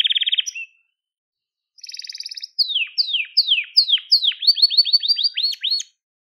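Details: Gloster canary with a crest, singing for the training of young canaries: short trill, a pause, then a buzzy roll followed by sweeping downward whistles speeding into rapid looping upward notes.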